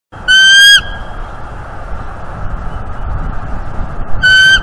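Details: Bald eagle at its nest tree in northeast Florida on 11 January 2023. The bird gives two loud, clear, high whistled calls, one at the start and one at the end, with quiet rustling and background hum between them.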